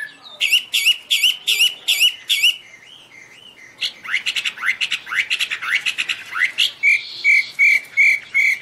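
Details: Singing Chinese hwamei: a bright note repeated about eight times, then rapid upward-swept whistles, finishing with a steady series of clear, evenly spaced piping notes.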